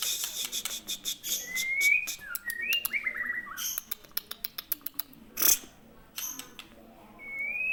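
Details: White-rumped shama, Aceh form, offering a few rising whistles and short descending notes amid a steady series of dry tapping clicks, ending on one drawn-out upward whistle.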